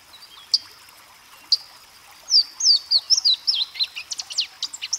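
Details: Two sharp chip notes, then a Louisiana waterthrush bursts into song: several slurred descending whistles running into a fast, jumbled cascade of twittering notes that trail off.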